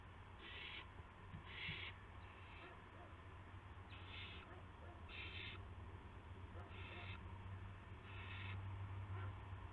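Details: Owl calling at 8 PM on March 18, 2016, as one bird delivers a gopher to another; a run of short, breathy screeches, each under half a second, spaced unevenly over constant low rumbling background noise.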